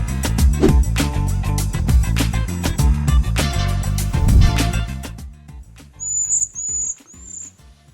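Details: A flock of migrating cedar waxwings in the southeastern United States, drawn to berry bushes, gives three or four very high, thin, lisping notes in the last two seconds, after loud music with a heavy beat.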